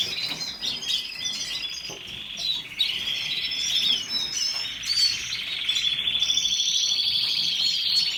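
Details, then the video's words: Canary singing with scattered chirps and slurred notes at first, building into a loud continuous rapid trill with sustained high whistled tones in the second half. "Canary song تغريد الكناري کەناری"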